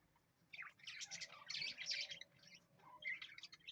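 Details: Parrot chatter of rapid, overlapping high squeaks and chirps begins after a quiet half second and continues, set against a low hum.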